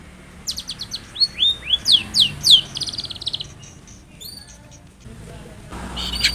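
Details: Long-tailed shrike song offered as a lure so a reluctant shrike sings back: a quick series of clear downslurred whistles, then softer twittering and scratchy notes, fading into faint background noise.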